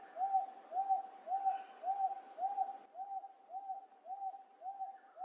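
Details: Up-close Wonga pigeon calling at Wentworth Falls, Blue Mountains, NSW, Australia, late July 2024. Monotonous series of soft, identical mid-pitched coo notes, roughly two per second, against a quiet background.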